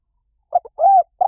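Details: Part of a spotted dove's 'Liw Tan' style coo, played to lure and train doves to answer: two quick short notes, an arched rising-falling coo, then the start of a long vibrating note cut off at the end; quiet background.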